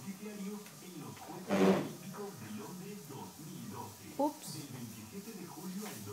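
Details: A pet parrot asking for food chatters in speech-like Spanish phrases, calling itself a "rorro", with a few sharper bursts, in a small room.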